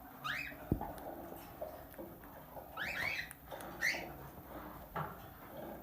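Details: Tame plum-headed parakeet, a talking pet parrot, giving sharp rising squawks in clusters around one second, three seconds and four seconds, with a click and soft knocks between, indoors.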